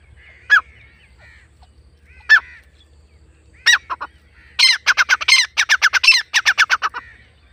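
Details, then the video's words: Grey francolin gives a few loud, strident single notes, then breaks into a rapid, ringing series of about a dozen harsh calls, over a faint low hum. "dakhni teetar ki awaz irani teetar ki awaz teetar hunting sound teetar sound jungali teetar awaz"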